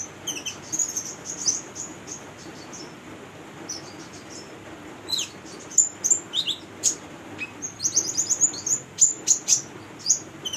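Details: Female konin, used as a lure for other konin, singing a very high, thin twittering of quick chirps and short trills, bursting irregularly and running faster toward the end, against a faint low hum.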